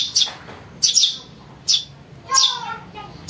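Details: Young house sparrow calling, a sound used to lure birds: four sharp, high chirps spaced irregularly about a second apart, the last one buzzier and longer, with quiet background noise.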